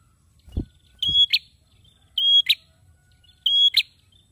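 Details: High, pure whistled notes from a male prinia, each finished by an abrupt crackling click, three phrases spaced about 1.2 seconds apart, preceded by two low thumps.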